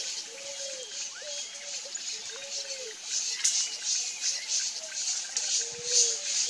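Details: Picazuro pigeon (Patagioenas picazuro) song: soft, low, hollow cooing notes in a loose series, partly drowned by a steady high hiss, possibly water or insects.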